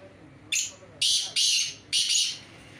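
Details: Black francolin (kala teetar) calling during a performance check against another francolin: four loud, harsh, rasping notes in quick succession, the first short and the last three broad and grating, over faint background murmur.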